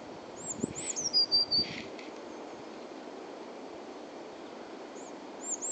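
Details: At Uppsala Botanic Garden a blue tit sings one phrase of high, thin, wavering notes dropping into a brief flat trill. A long quiet gap follows, then the high notes begin again at the end, over steady low background hiss.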